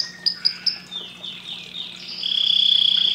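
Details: Brief canary phrase: a few sharp high chips, then sliding notes leading into a sustained piercing whistle.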